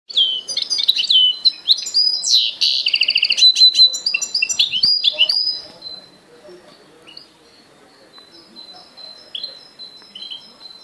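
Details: Goldfinch and canary hybrid singing a lively, jumbled run of high twitters, buzzy notes and quick trills for about six seconds, then a few soft, thin calls.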